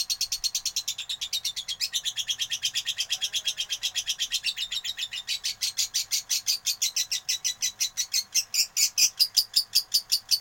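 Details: Lovebird in fighter style giving a long, fast run of scratchy, high chattering notes, about three per second, steady throughout and growing louder toward the end.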